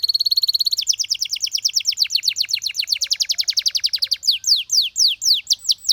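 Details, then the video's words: Dancing canaries in song: a high even buzzy trill shifting into a long run of rapid downslurred repeated notes, slowing into spaced whistled sweeps. "How Beautiful The Sound of Dancing Canaries"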